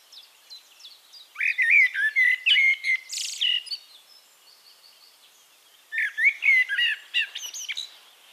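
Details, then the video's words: Male-sounding rich song of a Eurasian blackbird recorded in Castricum, the Netherlands: a long warbled, whistled phrase with a high rasping flourish, then after a pause a second mellow phrase. "One Hour Relaxing Birdsong: Blackbird"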